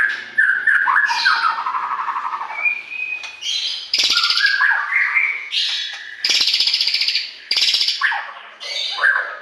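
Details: White-rumped shama song compiled to stimulate captive birds: vigorous alternation of sliding whistles, chattering trills and loud harsh rasping bursts, repeated several times.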